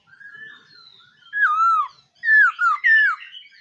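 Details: Black-throated laughingthrush giving a morning voice-training song: a soft rising whistle, then a loud falling slur followed by three quick wavering whistled notes.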